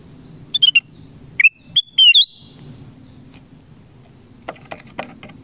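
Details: Black-crested bulbul in the forest giving one quick whistled phrase of four bright notes that rise to a sustained tone, followed by quieter sharp clicks and faint distant chirps.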